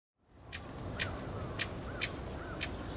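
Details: Pale thrush in the plum grove at Osaka Castle on 14 February 2015, giving five sharp, high ticking notes at uneven half-second intervals over a steady background hiss.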